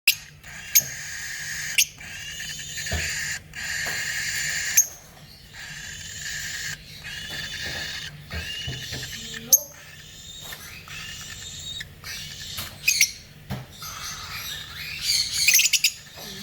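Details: A baby lutino cockatiel gives harsh, hissing, raspy calls in long scratchy runs, like a tiny growling dinosaur.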